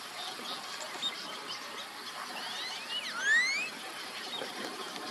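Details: Black-bellied whistling ducks, two families with ducklings, bathing and preening on a lake on a morning near 100°F: a brief shrill rising whistle after a few fainter high whistles, over steady background hiss.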